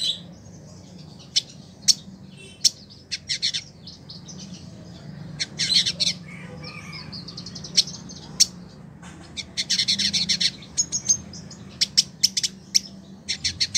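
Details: Village indigobird in captivity, kept for a year, in Bandung, West Java, Indonesia, singing actively as a tutor bird. Scattered sharp high chips and short buzzy bursts, denser near the end, over a steady low hum.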